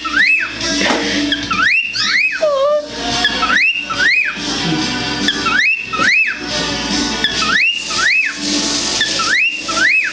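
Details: A four-year-old male cockatiel, courting a dish towel, sings a courtship song of bright, swooping whistles repeated about once a second.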